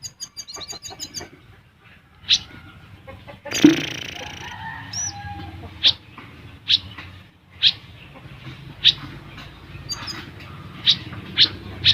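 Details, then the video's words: ['Olive-backed sunbird recorded for training caged birds: a brief rapid chatter opens, followed by a loud scraping noise, then single sharp, high chips spaced about one second apart.'] "Burung Kolibri Ninja / Konin Gacor Full Besetan & Tembakan Rapat untuk Masteran ataupun Pancingan"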